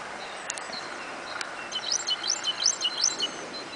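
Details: Great tit song of quick, high, repeated two-note phrases, about five in a row in the second half, after a couple of sharp clicks, with steady background hiss.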